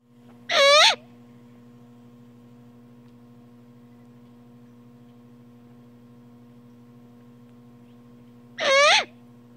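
A young great horned owl gives two harsh, raspy screeches about eight seconds apart, each under half a second, over a steady low mechanical hum.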